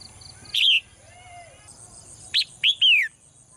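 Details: Caged female bird chirping in the morning: a single sharp note, a pause with a faint soft whistle, then a burst of three chirps ending in a long downward slide.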